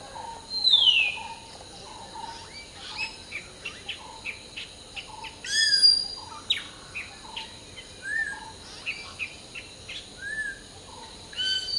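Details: Hill myna singing while preening during the dawn morning chorus: a loud whistle sliding steeply downward, then short clipped notes repeated among many other chirping birds, over steady high insect-like hum.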